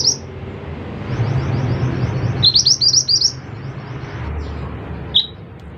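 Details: Scarlet minivet, local name mantenan, singing 'gacor': a single upswept whistle, then a quick series of five rising whistles, later one more lone note, over steady low rumbling background noise.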